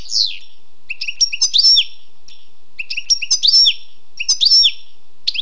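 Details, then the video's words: Wild European goldfinch repeating a short tinkling phrase of high chirps and a downward-curving note roughly every one and a half seconds, clear and close. "Écoutez et appréciez le doux chant du chardonneret sauvage"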